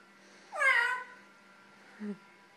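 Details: Lilac-crowned amazon talking: one loud, harmonic, meow-like call that rises and then slides down over half a second, followed after a pause by a brief, low, soft note. A faint steady hum runs underneath.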